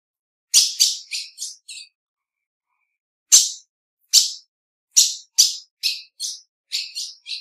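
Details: Calls of a female ultramarine grosbeak: bursts of sharp, high chirps, a quick group of four, a two-second pause, then single notes and a fast closing run, with clean quiet surroundings.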